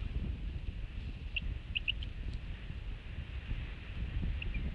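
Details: A newly hatched Bald Eagle chick at the Hanover nest, 28 March 2016, recorded at night on infrared camera with eggshell still on its head, gives about five faint, thin, high cheeps beneath its mother, some paired, over a steady low rumble.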